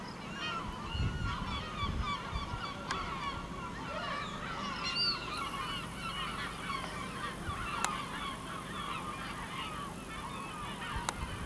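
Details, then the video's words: Gulls flying over a village in Ortegal until nightfall, a dense chorus of overlapping squealing and yelping calls, some rising and falling, steady throughout with a faint low rumble underneath. "Gaviotas pueblerinas ?? en el Ortegal hasta caer la noche"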